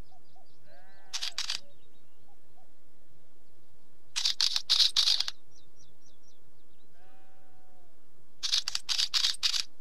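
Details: Wheatear producing three separated bouts of loud, gritty clicking chatter against a quiet background of soft ticking notes and a few low whistles from other birds.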